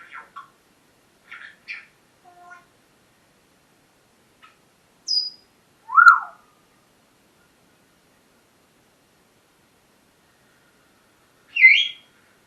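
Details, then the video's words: Pet parrot vocalizing in the morning at home: scattered short chirps and squawky notes, a high thin whistle, then a loud falling-rising squawk around six seconds and another harsh call near the end, with long quiet gaps between. "My parrots morning talking session"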